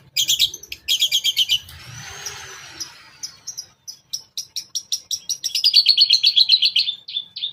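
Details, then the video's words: Long-tailed shrike giving a lure song for other shrikes, toet toet style with fill: harsh rattling bursts, a soft rising whistle, then fast regular chipping notes that build into a dense, ringing twitter. "KICAU Pancingan CENDET toet toet sambung isian Mewah Bikin cendet Lain bongkar isian!!!"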